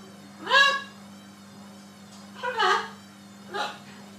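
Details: Three loud, rich, nasal speech-like calls from a talking macaw parrot, each under half a second, rising at the start, spaced about a second apart, room hum underneath.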